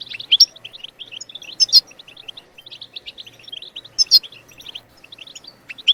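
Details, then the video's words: European goldfinch song in a bebtebat style, played to stimulate other birds to sing: fast, liquid twittering of high tinkling notes, with louder buzzy, trilled bursts about every two seconds. "بتبتات الحسون لتحفيز الطيور على التغريد بتبتات تجنن الحسون وتجعله يخرج كل التغاريد المخفية"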